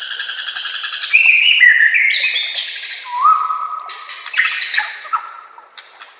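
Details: White-rumped shama master song used for training other shamas: a rich, varied run of loud whistled phrases, stepping between high and mid pitches, ending in lower sustained whistles with sharp chips.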